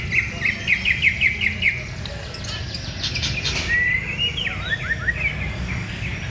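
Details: Lively white-rumped shama song opening with a rapid series of about eight sharp repeated chirps, then a softer pause and rising and falling whistled slurs, over a low steady hum.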